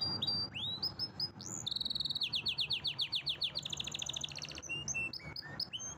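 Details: Canary song mixing rising whistled slurs, a fast pulsing trill that changes pitch, a high rattle and scattered sharp chips at the end.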